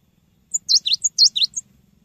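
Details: ['Cinereous tit singing for bird training, a quick string of clear high notes: thin upper whistles alternating with swooping V-shaped lower notes, about a second long, over a faint low hum.']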